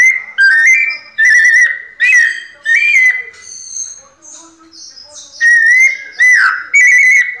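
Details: Clear, piano-like whistled phrases from a white-necked thrush in the pianado song style, several loud notes, a softer higher interlude mid-way, then more loud repeated whistles.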